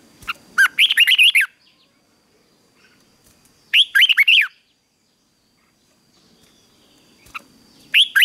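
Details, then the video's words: Red-whiskered bulbul in training for morning and fighting song repeats a rich, bouncing phrase of several looping whistles about every three seconds, separated by near silence. "Luyện chào mào hót sáng | chào mào hót đấu"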